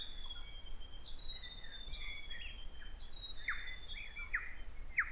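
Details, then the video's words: Riroriro, or grey warbler, at Kapiti, New Zealand: a steady, high, thin whistle drawn out over several seconds. Scattered chirps and three sharp downward-slurred notes come near the end, over a low background rumble. "Grey Warbler / Riroriro with song"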